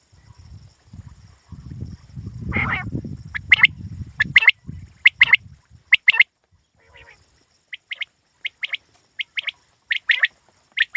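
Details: Quail calling, a series of short, sharp, paired notes repeated about once a second. The notes are loud and clipped. Low rumbling and handling noise comes first, then a quieter stretch between the calls.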